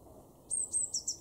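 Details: Eurasian blue tit, garden bird in Weener, East Frisia, northwest Germany, March 2024: a single brief phrase of very high, thin piping notes ending in a quick, slightly lower flourish.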